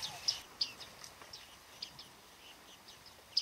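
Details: Autumn flock of bearded reedlings at Flamingo Lake in Azerbaijan's Shirvan National Park, 8 November 2013, giving scattered thin, high chipping calls, some louder pings standing out over quiet background.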